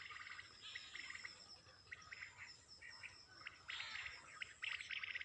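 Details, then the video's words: Birds singing early in the morning: bright chirps and short trilled phrases between about 1 and 4 thousand cycles, in bursts several times a second, over a steady high hiss of insects or distant birds. "Birds Best singing in early morning"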